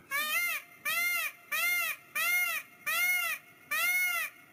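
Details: Peacock giving its mating call on a small farm: six loud, nasal, arched calls rich in harmonics, each about half a second long, repeated steadily roughly every 0.8 seconds, with quiet gaps between.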